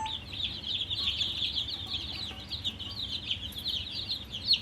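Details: A crowd of coloured poultry chicks, thirsty for water, peep without pause: rapid, high, slightly downslurred chirps overlapping in a busy unbroken stream, with a low background hum.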